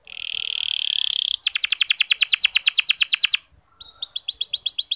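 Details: Canary twittering in the 'ngeriwik halus' style, played to excite reluctant male canaries: a level buzzy note, then a quick trill of crisp down-slurred notes, a short gap, and a faster series of upswept chips.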